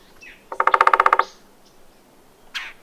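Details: Red-bellied Woodpecker (Melanerpes carolinus) giving a quick rolling chatter of about ten evenly spaced, mid-pitched notes in under a second, then a short harsh burst.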